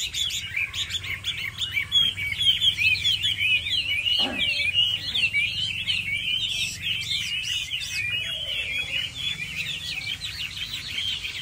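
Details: A Chinese hwamei, a prized caged songbird hung somewhat far off at a weekend gathering, sings a loud, rich, continuous run of varied whistles and trills, phrases tumbling rapidly one into the next without pause.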